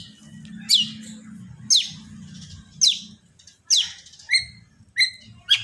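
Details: Long-tailed shrike song played to make other shrikes sing: harsh descending buzzy notes repeated about once a second, followed by sharper chirps, over a low steady hum.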